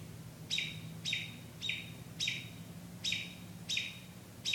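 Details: At night a bird gives quick chirped notes in an even series, seven in about four seconds, against a low humming background.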